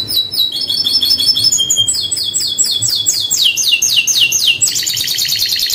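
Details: Canary in continuous high song of rapid chattering trills and rolls, with the notes repeated about four times a second and the pitch switching between phrases. One short, sharp whistled note stands out, and the recording is otherwise clean.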